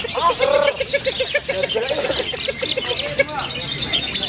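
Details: Female lovebird in a singing competition's lovebird class, giving its long ngekek trill: a fast, steady, high chattering run of tiny repeated notes, with men talking loudly over it and a crowd murmuring.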